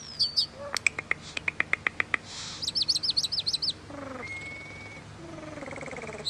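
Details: Long starling song passage: evenly spaced loud ticks, a soft hiss, a quick series of warbled high loops, then a level drawn-out whistle and lower wheezy slurred notes.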